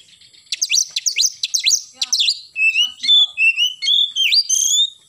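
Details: Oriental magpie-robin singing in the morning in 'gacor' fashion: a rapid series of steeply falling whistled notes, then smoother rising and dipping whistled phrases repeated in quick succession.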